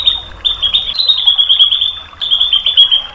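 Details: White-rumped shama tutor recording meant to provoke a bird into replying: long buzzy, finely trilled notes held level at high pitch, broken by a short gap, with faint higher pips above.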